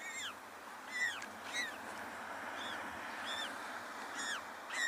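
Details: African penguin chicks hidden in a shaded nest among dense vegetation against a penguin protection fence beg for food from an adult, giving thin, high, down-slurred peeps, about eight in five seconds, over a steady hiss of wind or surf.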